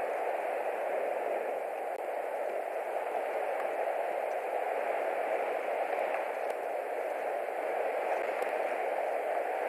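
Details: Constant hiss of static and white noise from a nest camera, with no calls.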